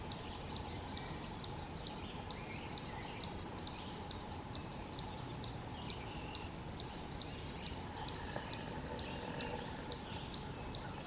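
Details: Young hairy woodpecker calling from a tree cavity while both parents feed it, West Hickory, Pennsylvania, late May 2023, distant: a long run of quick, high, clicky chirps, roughly two per second, slightly uneven, with faint background hiss.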